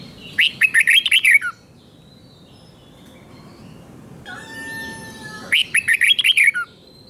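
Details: Caged red-whiskered bulbul singing in the 'double' style to teach young birds. Two fast phrases of seven or eight bubbly warbled notes are heard, and between them a steady whistled tone.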